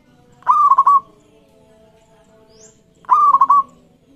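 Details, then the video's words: Two cooing phrases of a lively local zebra dove, used as a master to coax other doves into calling: a soft rising note then a quick bubbling run of pulses, with a faint high chirp between. "Masteran Perkutut Lokal Gacor Iramanya Mengundang Lawan Bunyi"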